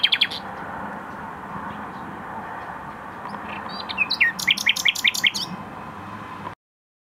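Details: Common nightingale singing in Tokat, Türkiye: a short high note burst at the start, then a rapid run of sharp, repeated rising notes that sweep upward before ending, over steady low background hum.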